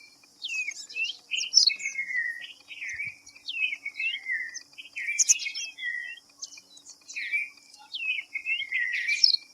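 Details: Red-vented bulbul (Pycnonotus cafer) giving cheerful, bubbly whistled phrases, short swooping notes repeated in quick bursts, over a steady high insect buzz.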